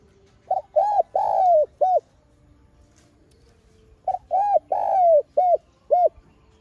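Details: Spotted dove used as a trapping lure, giving calling and urging coos: two phrases, each of about five hollow, arched coos with a longer drawn-out middle note, separated by a two-second pause in quiet surroundings.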